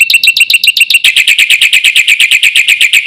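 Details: Black-winged myna singing in 'gacor full isian' style, a lure for tutoring other mynas: fast, buzzy ticking notes repeated about four per second, quickening and blurring into a continuous rattle halfway through.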